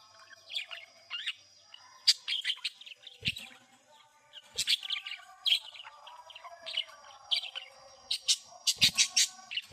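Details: Budgerigars chirping: busy, overlapping warbled chatter and sharp high chirps in bursts, over a steady high background tone with occasional low thumps.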